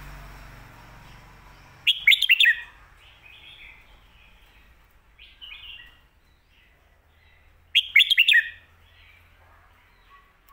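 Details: Red-whiskered bulbul in the popular 'Phat Kuai Tiao' master-song style: two loud fluty phrases of quick whistled notes about six seconds apart, with softer warbling notes between them in an otherwise quiet setting.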